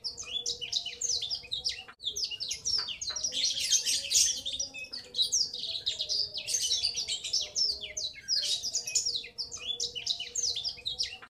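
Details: Black-throated canary, a juvenile male, in extended ngriwik chatter used to identify its sex: unbroken stream of high, rapid chirps and warbled trills over a low background hum.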